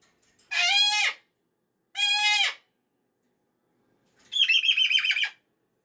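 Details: Two loud, strident screams a second apart from a pet cockatoo grumpy about the weekend ending on a Monday morning, followed after a pause by a long, buzzy, rattling call.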